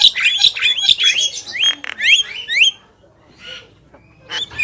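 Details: Song of a black-winged myna pair, male and female: dense harsh chatter opening into a series of clear upward-sweeping whistles, then a quieter gap and one final rising note.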